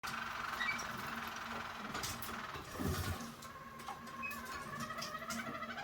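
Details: A Harzer Roller canary in Stuttgart, Germany, sings a soft, low, continuous rolling trill with a fast mechanical rhythm over a steady background hum.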